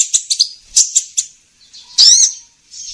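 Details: Sunbird lure call for trapping: quick, thin, high chips in a short run, a pause, then one loud buzzy rising note and a fainter trailing chip.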